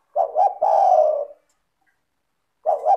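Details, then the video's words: Spotted dove singing steadily, recorded as a lure for other doves: a low hollow double-stuttered coo running into a long sustained note, then the next phrase starting after about a second of silence. "LANGSUNG IKUT BUNYI dengan PANCINGAN suara tekukur gacor rapat merdu dan jernih"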